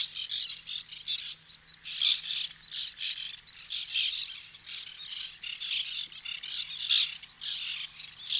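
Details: Many white-winged terns calling at a nesting colony: continuous overlapping harsh, creaky squawks, rising and falling in loudness over several seconds.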